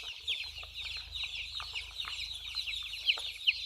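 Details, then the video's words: Many small white baby chicks playing and drinking water, giving rapid overlapping high-pitched cheeps, each a quick falling slur, over a low steady hum with scattered soft taps and a few louder peeps near the end. "chicks chirping sound, small chicks voice"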